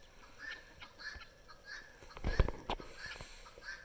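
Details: Noisy helmeted guineafowl in spring give harsh, grating notes repeated several times a second, over low thumps and handling noise, with a person's voice nearby.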